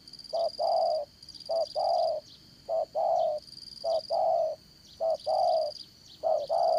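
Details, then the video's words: Caged decoy spotted dove for trapping, Đồng Son voice style: regular short-long cooing pairs, low and hollow, six pairs at an even pace, with a high steady insect hum in the background. "Bẩy Cu Gáy Dán Cổ, Giọng Đồng Son"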